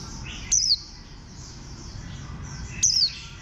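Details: Warbling white-eye of the bantam-shaped green type, giving two short, thin, high chirps that slide sharply downward, a little over two seconds apart, over a steady low background hiss.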